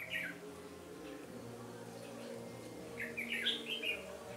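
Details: Red-whiskered bulbul singing as a trapping decoy to challenge rivals, 13 January 2017; a brief chirp, a pause, then a fuller warbled phrase of rising and falling whistles, with a low background hum.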